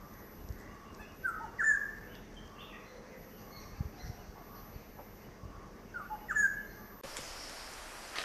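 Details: Black-hooded oriole (Oriolus xanthornus), call.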